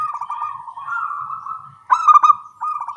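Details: Zebra doves, local Indonesian perkutut, calling back and forth in the morning: soft cooing phrases of rapid pulsed notes, one bird starting loud and stuttering, another answering with quieter rolling coos.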